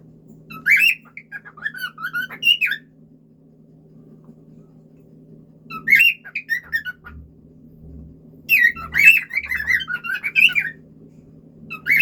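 A cockatiel sings in bursts of bright whistled notes mixed with harsher chatter and squawks.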